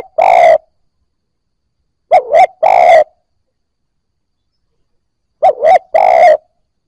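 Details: Spotted dove cooing, a sound used to stimulate newly caught doves into cooing. Low, hollow phrases of two quick notes then a longer, rough coo, repeated about every three seconds, preceded by a lone long coo, with silence between.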